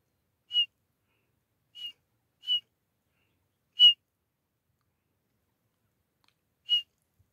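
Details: Grey francolins calling as a pair, recorded for hunters: five short, pure whistles at an even high pitch, two close together and the rest separated by gaps of up to three seconds.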